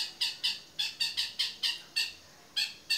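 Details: Cendet, the long-tailed shrike, calling 'toet miyik' style for songbird tutoring: a fast series of rasping, buzzy squawks, about three per second, each note broad and grating, with brief irregular pauses.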